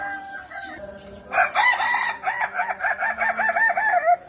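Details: Kukuak Balenggek chicken, a 'singer' breed whose crow is layered and tiered: after quieter sounds, a bright crow starts and breaks into about ten quick, arching repeated syllables, steady in pitch.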